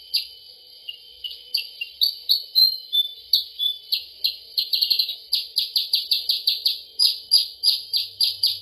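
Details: Sooty-headed bulbul lure call, played as an mp3 to attract the bird: sharp, high chirps that start sparse, then come quickly at a steady pace with brief stuttering bursts, about three notes a second.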